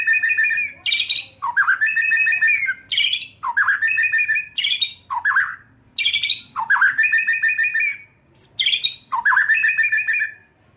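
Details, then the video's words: White-rumped shama singing, used to coax a young wild-caught bird into loud song: rich whistles and rapid buzzy trills in bursts, with downward swoops between phrases and short silent gaps. "Memancing murai batu MUDA HUTAN dan LEPAS TROTOL agar GACOR NGEPLONG"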